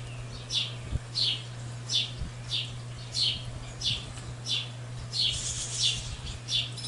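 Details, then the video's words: Fledgling barn swallows recorded 1 July 2018 on a tallgrass prairie preserve near Pawhuska, Oklahoma, giving a run of sharp high chirps about every second, slightly irregular, with a constant low hum and faint soft thumps beneath. "Barn Swallow Fledglings"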